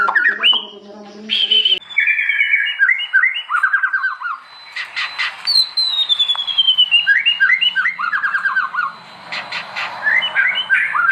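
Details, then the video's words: Extended white-rumped shama song recorded for training other shamas: varied whistles, fast rattling trills and a long descending sweep, with a lower harsh sound at the start. "KUMPULAN BEBERAPA SUARA OCEHAN BURUNG MURAI BATU GACOR UNTUK MASTERAN MURAI"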